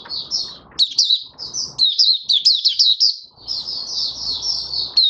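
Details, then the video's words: Captive Mata Puteh Raja, the oriental white-eye, in 'buka sing' open song, 20 January 2022, dewormed five days earlier: bright high warbled chirps, sharp rising-falling notes in quick succession, with quiet low rumble behind. "Mata Puteh Raja Video 1 buka sing"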